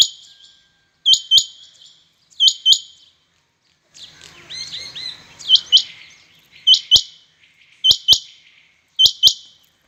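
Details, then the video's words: Several rain quails calling against each other in a competition: loud high doubled notes in repeated pairs at roughly one-second spacing, with a burst of mixed twittering calls from other birds midway. "Rain quail competition | chingha batair ki awaz | چنگھے بٹیروں کا آپس میں مقابلہ"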